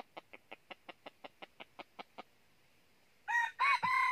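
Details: Red junglefowl crowing during junglefowl trapping with a decoy rooster in northern Vietnam: a run of about a dozen evenly spaced dry clicking pulses, then after a pause two loud harsh crow phrases with a downward bend.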